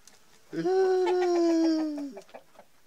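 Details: Denizli rooster crowing, filmed with a hen amid mating: a loud, sustained, harmonic note held level for about one and a half seconds, falling slightly before cutting off, followed by faint clucks.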